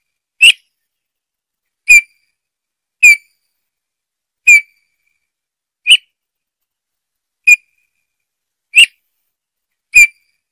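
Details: Soft, mournful piped whistles from a Eurasian bullfinch, each brief and slightly falling, repeated eight times at roughly one-and-a-half-second intervals in silence.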